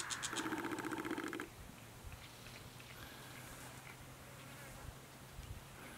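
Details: Brown shrike, which flew off as the camera focused, giving a harsh, rapid chattering burst for about a second and a half, then near quiet with a low background hum.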